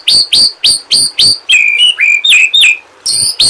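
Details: Tutor recording of a white-rumped shama, meant to prompt shamas that won't sing: loud sharp high chips repeated about four times a second, then slurred whistles dropping in pitch, then the chips again.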